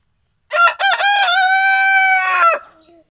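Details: Criollo batarazo (barred creole) rooster crowing once: two short rough opening notes, then a long level ringing hold of about one and a half seconds, ending in a falling drop and a faint trailing tail; no other sounds.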